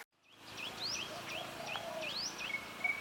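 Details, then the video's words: Birds singing in forest near Phu Sing, Sisaket, Thailand: repeated rising and falling whistled notes, some sweeping upward, several per second, with a steady high tone near the end and soft background forest noise. "Singing Bird - Forest Birdsong"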